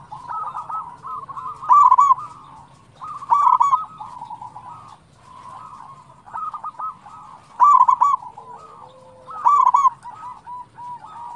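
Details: Active local zebra dove chorus meant to stimulate other doves to sing: loud stuttered coo phrases recur roughly every two seconds over steady overlapping cooing from several birds.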